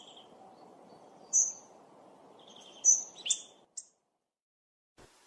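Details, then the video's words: Hawfinch calls mixed as a hunting lure: a few sharp, high, clipped ticks and short thin notes at irregular spacing over a faint low background hiss, then near silence and a final click. "Hawfinch Call Sound Mix of 2 best Hunting Sounds. صوت الكرمب او ديك الصلنج - دمج افضل صوتين للصيد"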